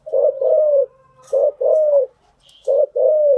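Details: Spotted dove calling, cooing used to train newly caught birds: low two-part coos, each a short note then a longer falling one, repeated in quick succession.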